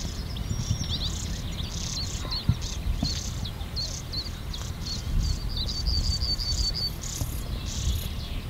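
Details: Fledgling European stonechats calling while being fed, NSG Ahsewiesen, morning of 30 May 2019 at 08:35, Panasonic Lumix GH5; sharp high chips and quick trilled series tumble together, with low rumbling noise and faint insect buzz.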